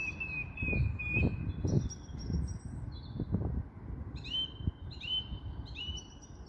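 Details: Common Blackbird singing in spring in woodland by a river: a long clear whistled note, then short high twittering phrases repeated in bursts, over low rumbling background noise.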